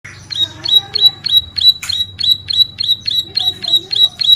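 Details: Bar-winged prinia in vigorous song, used for training and luring birds: a rapid series of sharp, high, upward-flicking notes, about three per second, with a low hum beneath.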